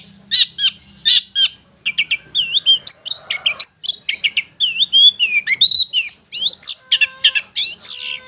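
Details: Ngetet-style song of a long-tailed shrike, meant to prompt stressed or mute shrikes into singing: a few sharp strokes open a quick run of twisting whistled and chattering notes, each phrase different.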